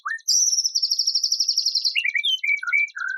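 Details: White-rumped shama song from a compiled tutoring set of harsh phrases. A low whistle opens, then a long bright buzzing trill follows, ending in several lower slurred whistles over rapid ticking.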